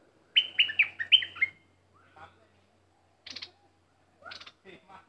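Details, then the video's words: Bulbul used as a caged decoy bird gives one quick warbled phrase of bright chirps, followed by softer clicks and a few short rising notes. "Burung merbah lekir bay hoach thom gacor bahanan"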